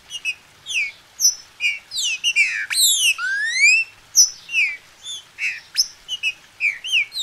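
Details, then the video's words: Green-winged saltator bred in captivity in Brazil, played to get another bird singing: steady bursts of bright whistled slurs with a long upward sweep midway, notes following each other quickly and unevenly. "Esquente seu trinca"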